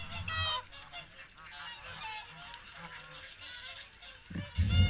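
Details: Swans at WWT Caerlaverock during the morning feed: a dense chorus of overlapping nasal, harmonic honks from many birds. Low rumbling wind bursts sound at the start and end.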